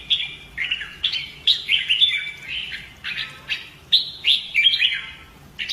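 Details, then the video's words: Red-whiskered bulbul kept as a cage bird, trained for fighting song: bright warbled phrases sliding between high and mid pitch, short notes in quick bursts separated by brief pauses. "CHÀO MÀO | Luyện giọng chim hót hay hót đấu - kích ché lên lửa"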